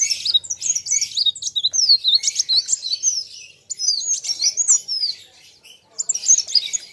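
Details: Kolibri wulung sunbird in a singing duel with an equally vocal rival: dense high chirps and looping slurred whistles in quick irregular phrases, with a short quiet gap before a final burst.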